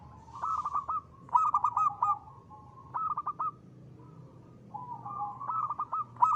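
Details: Local zebra dove song, crisp and lively, used to provoke other birds into singing. Four short phrases, each a quick string of clipped coos ending in a brief roll, spaced over about six seconds.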